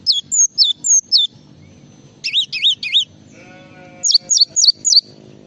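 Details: Java sparrow tutor recording for training songbirds: a quick series of five high descending chirps, three wavy warbles, a brief humming tone, then four more falling chirps in steady rhythm.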